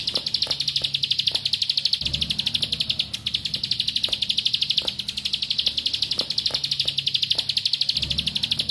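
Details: Bar-winged prinia of the rice fields: a high, rapid stream of sharp, buzzy chips delivered in a continuous, rattling burst, with faint low rumbles behind; a lure song to make other prinias answer.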